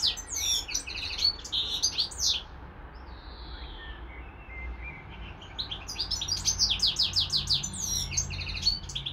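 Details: A European goldfinch kept as a pet with a hybrid bird; bursts of twittering song, a quieter pause with soft calls in the middle, then the rapid chirping resumes.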